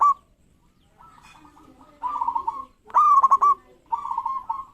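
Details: Local zebra dove (perkutut) in full song, used to provoke rivals into singing: several cooing, trilled phrases at mid pitch in quick succession, with softer, lower cooing in the background between them.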